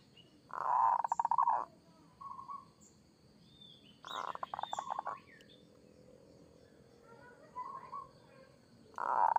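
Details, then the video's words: Local Zebra dove of Indonesia singing in the kerot style to prompt other doves to answer: three loud bursts of rapid pulsed cooing, with softer short coos between them over a steady background hiss. "Suara perkutut lokal gacor kerot AMPUH bikin nyaut seketika"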